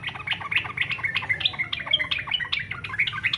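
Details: Fighter-style song of yellow-vented bulbul meant to spur other bulbuls into singing: continuous dense chattering and bright chirps, quick uneven notes tumbling without pause, with a faint low background hum.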